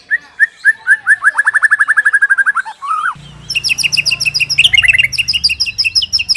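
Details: Captive white-rumped shama (murai batu) master song for training birds to sing: fast series of repeated whistled notes, then rapid high chattering phrases with buzzy trills; low hum under the second half.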